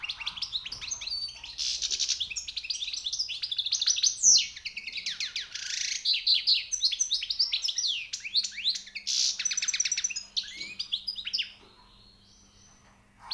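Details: Newly caught European goldfinch singing high, rare notes: a fast, dense run of twittering, buzzy and tinkling notes in bursts, with short pauses near four and ten seconds. The song stops at about eleven seconds, leaving a faint low hum.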